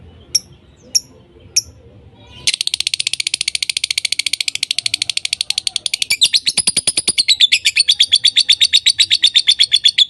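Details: Lovebirds voicing nonstop: a few sharp separate chirps, then a fast, steady rattling chatter of rapid repeated notes running continuously for several seconds.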